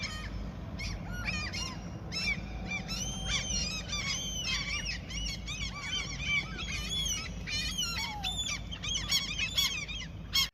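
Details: A flock of seagulls gathering over food in the territory where someone fishes: a dense, continuous chorus of overlapping squealing and yelping calls, some long and drawn-out, over a steady low rumble.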